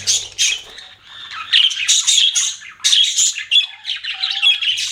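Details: Scratchy, high twittering from pet budgerigars, bursts of rapid chirps and squawks separated by brief gaps, with a few thin whistled notes.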